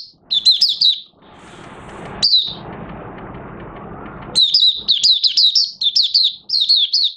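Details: Oriental white-eye starting to sing, 30 August 2022, fresh white feathers nearly coloured; a high twittering phrase, a long pause with a single note, then a lively run of rapid warbled chirps.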